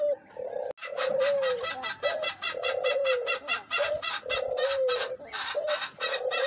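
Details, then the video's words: Eurasian collared dove cooing: low, steady hooted notes in phrases, each ending in a slight downward slur. Rapid, loud, buzzy chirping pulses repeat over the coos throughout, with a brief break near the start. "تغريد اليمام القمرى_اليمام المطوق"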